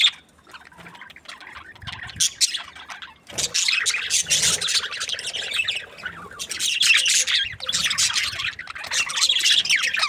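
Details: Several happy budgies chirping: quieter, broken twittering at first, then loud, overlapping scratchy warbles and squeaks that ebb briefly before rising again into busy chatter.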